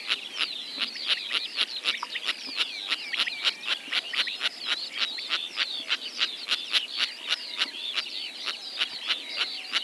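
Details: Calls of sociable lapwings in Kazakhstan, a species that keeps its flocks together partly by voice: dense, fast clicking notes with many overlapping chirps and wavering trills, several birds calling at once.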